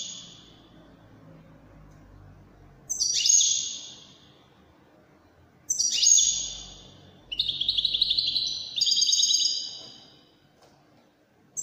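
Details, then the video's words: Moroccan Wydani song of a European goldfinch, given in separate bursts a few seconds apart. Each burst opens with a sharp high note and falls into rapid twittering trills. A faint low hum sits underneath. "الحسون الويداني الملك الذي يستحق استماع وتمتع في ادائه في التغاريد الويدانية المغربية"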